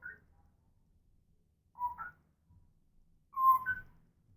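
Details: Indoor pet African grey parrot whistling: short two-part whistles, a lower steady note rising to a higher one, given three times with longer pauses between.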